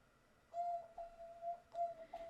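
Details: An indoor pet dove coos in response to its owner's talking, giving soft, steady, low tones, about four drawn-out notes in quick succession, against a quiet background.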